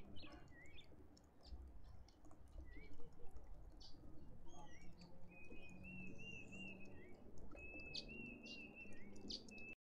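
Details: Cape robin-chat recorded on 11 November 2021, giving short rising whistled notes and longer sustained high whistles over a low rumble of wind or distant traffic.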